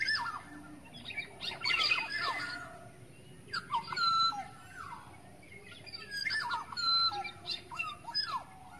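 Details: Wild black-naped oriole in forest, lure call: irregular phrases of mellow, downward-sliding whistles with harsh, grating notes, about twenty-six phrases a minute, busiest around two and seven seconds.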